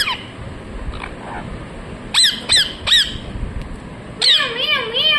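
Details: Parrot giving sharp sweeping squawks in a quick run of three, then a longer wavering warbled call with tonal undulations, low background hum underneath.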